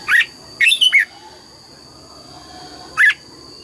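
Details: Red-whiskered bulbul singing in the morning, trained to sing double-note 'già rừng' phrases: a short whistled note, then a quick three-part warbling phrase, another lone note near the end, with a steady high electrical hum behind.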